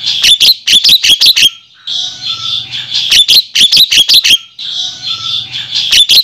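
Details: Javan myna lure call for attracting males: quick runs of five or six sharp, high chips, each run followed by a harsh, wheezy rasp lasting about a second.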